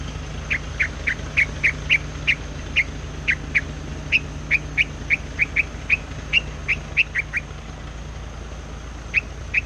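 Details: White-plumaged streaked spiderhunter as a decoy bird singing without pause in the forest, a long steady series of crisp, clipped chips about two to three a second, briefly breaking off near the end, over continuous low hum.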